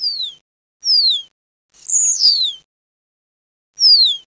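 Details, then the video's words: Common starling lure mix for trapping: clear, high whistles that slide steeply downward, four in about four seconds; the third is longer, rougher and more buzzy. No other sounds. "خلطة لصيد الزرزور الشائع | Common Starling Mix"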